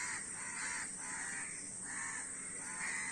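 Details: A flock of crows cawing, rough drawn-out caws overlapping in a steady rhythm with a constant high-pitched hiss in the background.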